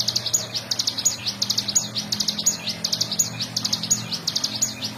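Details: Nonstop 'ngebren' singing from a bar-winged prinia, recorded to teach other songbirds: dense, high, rapid staccato notes in rolling bursts, with a soft low hum in the background.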